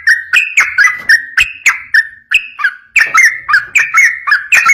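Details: Energetic rapid song of a yellow-vented bulbul, played to make other bulbuls sing back: chains of short gurgling whistled notes, about three to four per second, with a short pause near the middle.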